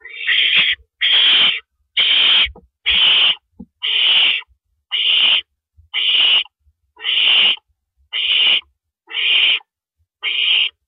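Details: Owl at its nest during a night prey delivery of a rabbit by the male, April 6, 2012, 1:11 AM; eleven harsh hissing shrieks at a steady rate of roughly one per second.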